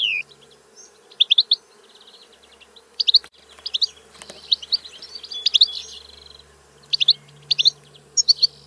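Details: European goldfinch delivering short clusters of bright, tinkling high notes every second or so, with brief buzzy phrases between, over a quiet background with low hum and a couple of clicks.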